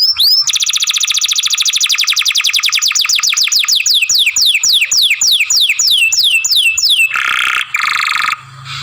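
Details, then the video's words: A young canary sings a masteran song used for song training, with long grumbling phrases: a loud rapid trill of falling whistled sweeps, repeated several times per second for about seven seconds, ending in a buzzy harsh burst. "Young Canary Masteran, Long Sounds Grumbling"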